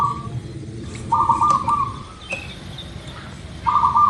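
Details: Singing zebra dove (local type) used as a lure to make birds sing quickly: a clipped phrase at the start, then a full low rolling trill of rapid coos, and another beginning at the end, with steady hiss behind.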